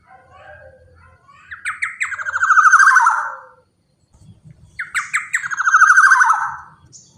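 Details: Black-naped oriole, a big-bodied, actively singing bird, used as a lure for other orioles; two loud bouts of harsh, nasal, buzzy squawks that slide downward and swell to a long grating burst, with a quiet pause between them and a low hum beneath.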